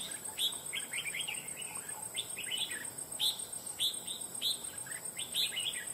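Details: Wild red-whiskered bulbul recently trapped for fighting, singing a loud voice in regular bursts of quick, bright chirping notes about every second, with a constant high insect hum in the background.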